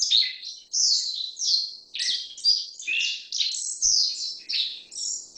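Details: Black-faced bunting calling in a steady stream of high, chirpy notes. The phrases are short and slurred, some rising and some dropping, repeated almost without pause. The background is quiet.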